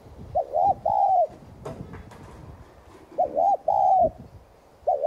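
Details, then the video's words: Spotted dove coo used to stir newly caught doves into cooing. Three low phrases, each a quick wavering two-part note then a drawn-out even one, with soft clicking noises in the gap between. "Chim cu gáy THÚC GÙ kèm bổi kích bổi nhanh nổi hiệu quả.cu gáy Thúc Gù kích bổi căng lửa gáy ngay"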